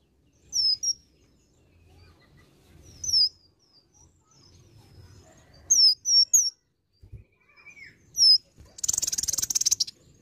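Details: Sunbird, olive-backed, in full varied song with mimicked notes: scattered very high, thin, slurred chips in clusters of two or three, one lower drawn-out whistle, then a loud harsh buzzing rattle lasting about a second.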